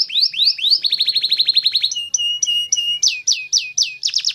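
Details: Canary singing a mix of rising chirps, a rapid trill of short notes, paired flat whistled tones, then loud downslurred sweeps repeated in quick succession.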